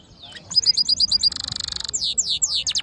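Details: Siskin mule hybrid, black-hooded yellow type, kept in a cage, delivering a varied song: clipped repeated chips, a dense buzzy trill, then sweeping descending whistled notes.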